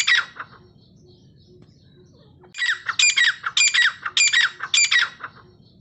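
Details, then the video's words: Grey francolin (dakhni teetar) calling continuously for bird training: a brief squawk opens, then after a quiet stretch with faint hum comes a string of six harsh, ringing notes at a steady rhythm. "Gray Francolin continuously voice || dakhni teetar ke awaz repeated"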